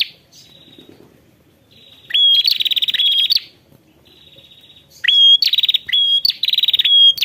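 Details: Ashy prinia calling a rival, delivering two loud bursts of rapid high pulsed trills introduced by sharp rising notes, separated by quieter thin buzzy trills.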